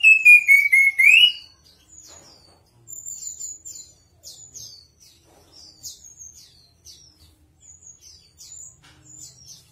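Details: Chestnut-capped thrush, singing strongly: a loud falling whistle that swoops sharply upward, then a long series of faint, thin, high twittering notes repeated about twice a second.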